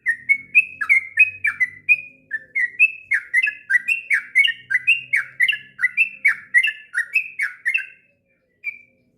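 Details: Sooty-headed bulbul, an eager singer used to train young birds, sings a long rolling phrase of bubbly whistles, about three notes per second, ending with a single note after a short pause.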